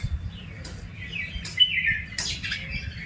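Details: Birds chirping in a village: thin, high chirps and short sliding notes, several overlapping, with a brief louder burst near the middle and another toward the end, over a steady low rumble.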